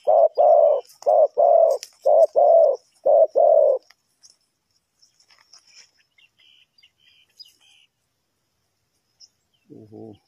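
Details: Spotted dove used to lure wild birds for trapping in Ninh Thuận, Vietnam, giving a rapid run of paired low coos, about eight notes in four seconds. Soft distant chirps follow, then a brief low note at the end.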